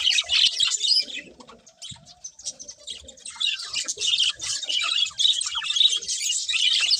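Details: Several budgerigars, described as happy, chirping continuously: dense, rapid, high warbling twitters and chatter that run almost without pause, with brief quieter dips and faint low clicks beneath.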